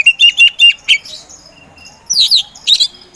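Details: Oriental magpie-robin, kacer poci, a singing-contest bird, gives a rapid series of four loud chirping whistles. After a quiet gap come two harsh, buzzy high bursts.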